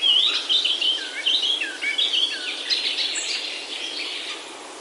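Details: Birds in Himalayan oak woods of Himachal, India: warbled, looping whistled phrases and rapid chirps, loudest at the start, then softer twittering beneath a steady hiss.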